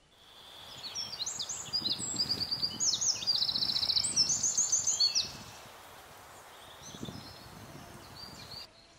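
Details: Eurasian wren in Berezinsky Biosphere Reserve, Belarus, singing a loud, high, rapid song of tinkling notes and fast rattling trills that runs for about four seconds, then fades to softer distant twitters.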